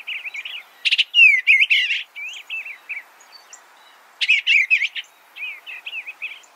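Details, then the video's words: Soft, slurred warbles of an Eastern bluebird, with some notes sliding downward, delivered in two clusters separated by a short silence and trailing off in quieter, gentler notes. "Suara Burung Eastern Bluebird - Eastern Bluebird Bird Sound"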